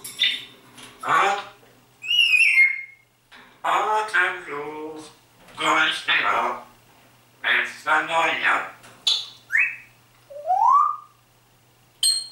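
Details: Pet grey parrot talking and singing, imitating the pop song Atemlos durch die Nacht and greetings such as Grüß Gott and Servus. Speech-like phrases alternate with short whistled notes, some rising and some falling, all indoors.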